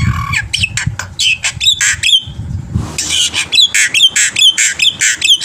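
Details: Black-winged myna in lively, varied training song meant to prompt other birds to sing: harsh raspy squawks and bursts alternating with sharp upswept whistles, delivered rapidly with short gaps, a low rumble underneath.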